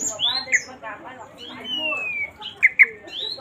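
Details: Caged Oriental magpie-robin in full excited song, mixing sweet whistles, a long descending slurred note and sharp chirps, with rapid chattering in between.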